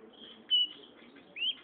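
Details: Silver-beaked seedeater, a strong-voiced seed-eating bird of plains and foothills, presented as a tutor singer; two loud, clear whistled notes near the top of its range, the second rising slightly, over faint low background hum.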